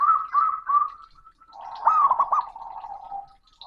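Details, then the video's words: Male zebra dove (perkutut) calling to a rival with a loud, booming voice: three quick soft coos, then a fast rolling, bubbling trill ending in a drawn-out lower coo. "Perkutut Jantan Panggil Lawan || suara keras dan menggelegar"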